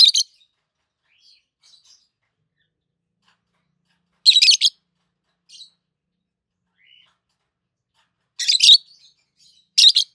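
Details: Pair of adult peach-faced lovebirds kept indoors, one with a red face and one with a yellowish white face, calling in loud, rasping chirps spaced several seconds apart, some doubled, with faint quiet twitters in the gaps.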